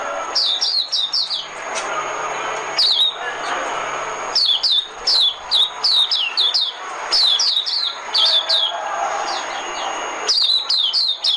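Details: Decoy singing of a white-eye: runs of sharp, high, falling chirps in groups of three to six, separated by short gaps filled with soft hiss and low murmur.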